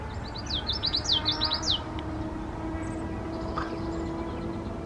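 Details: Common Yellowthroat singing at Union Bay Natural Area, Seattle, WA, a quick, rolling run of high, sweeping phrases, witchety-witchety-witchety, over a low rumble of distant traffic.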